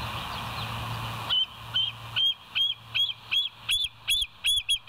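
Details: Nest-camera recording of a bald eagle at the West End nest, 20 July 2023, 05:04: after a hissy lead-in, about ten high, squeaky chirps repeat rapidly and grow louder toward the end.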